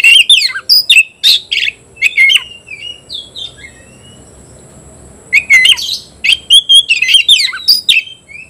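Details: Oriental magpie-robin singing intensely against a rival opponent; loud harsh chirps and sharp squeaky notes in rapid bursts, a quiet pause of about three seconds with faint distant whistles, then another fast burst of scratchy notes.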